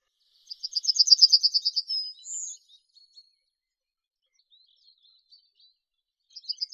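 A Yellowhammer sings a fast, high, dry rattle of about a dozen even notes ending in a drawn-out final note; a second song starts just as the clip ends.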